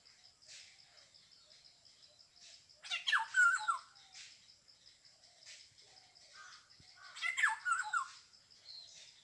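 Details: Black-hooded oriole giving two bursts of grating, descending squawks about four seconds apart, against a soft background of faint high chirps from other birds.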